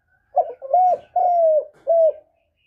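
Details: Trapping lure of a spotted dove: one soft, hollow phrase of four notes, a quick first coo, a sustained one, a long descending coo and a short final note.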